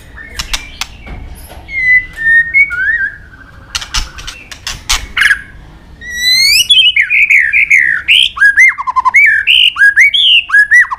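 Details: White-rumped shama training song with long phrases mixing many forest voices and clicking notes: sharp clicks and scattered whistles, then a loud rapid run of rising and falling whistled notes in quick succession.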